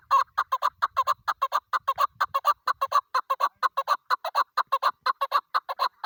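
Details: Female hunting chukar partridge on the first day of the hunt giving a fast, steady series of clucking chuck notes, about two per second, sharp and throaty, with faint low rumbling beneath.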